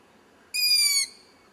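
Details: An owl chick in a tree at about 100 metres, recorded when light was low, lets out a single piercing, hoarse, hissing shriek lasting roughly half a second, dipping slightly at its end, in otherwise near silence.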